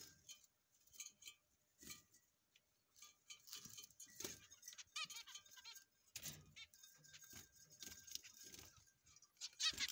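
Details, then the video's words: Finch chicks giving thin, high-pitched chirps and short buzzy, rapidly repeated notes in scattered bursts, with quiet gaps and faint rustling between. "Finches chicks"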